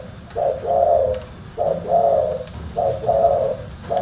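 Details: Spotted dove cooing in full bass, three quick low phrases each a short note then a warm sustained coo, spaced just over a second apart, plus the start of a fourth.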